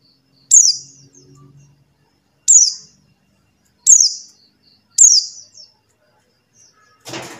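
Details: Buxtoni white-eye calling, a sound used to get silent white-eyes singing: four bright descending chirps with buzzy trailing ends, about a second or more apart, followed by a brief rustling noise.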